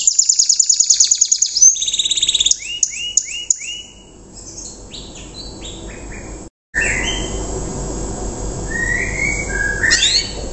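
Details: Young untrained canary singing its rough riwikan style, a song used as a lure for other canaries to copy; fast high trills open, then repeated rising whistled notes and short buzzy phrases over a steady background hiss.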